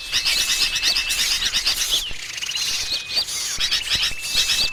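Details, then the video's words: Sooty-headed bulbuls in busy, noisy chatter, with rapid overlapping high chirps and twittering over a thin steady whistle-like tone; a lure recording for trapping small birds in gardens or rubber forest. "Suara Pikat Kutilang Ribut"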